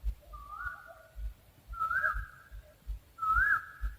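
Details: Owl calling three times, each a clear whistled note that bends upward at the start and then sustains, spaced about 1.5 seconds apart, with soft low thumping sounds in the background.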